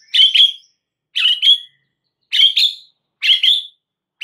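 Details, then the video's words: A white-rumped shama lure song, used to make other shamas respond: harsh, buzzy double notes repeated about once a second with short silences between. "dengar PANCINGAN murai Batu ini dengan CEPAT murai anda langsung NYAUT seketika"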